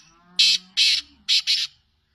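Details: Black francolin of the Sindhi type calling: one loud, grating, buzzy note, a second, then a quick rasping pair, all harsh and broadband, over a faint low hum.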